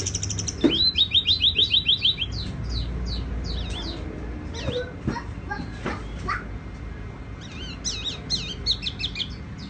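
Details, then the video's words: Tiểu mi songbird singing, described as a soft ringing song: rapid trill of repeated high upslurred notes, then scattered sharp whistled notes and short slurred phrases, with a faint low hum and other sounds underneath. "Chim tiểu mi hót tiếng vang dịu"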